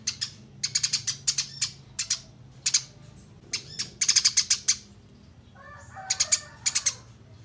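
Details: Eurasian tree sparrow chirps, clearly recorded as training material for songbirds; scattered loud cheeps build into a rapid cluster, then a softer, lower chattering twitter appears before a final short burst.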